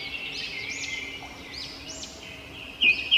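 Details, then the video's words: Robin chirping: repeated high, arching chirps that sweep up and down over a steady hiss, several overlapping, with a sharper burst of notes at the very end. "Robin Birds Chirping"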